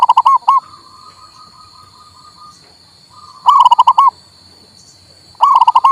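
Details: Local male zebra dove, used to coax a quiet bird into singing: quick bursts of bubbling coo notes separated by gaps, with a faint drawn-out tone between phrases and a constant high whine behind.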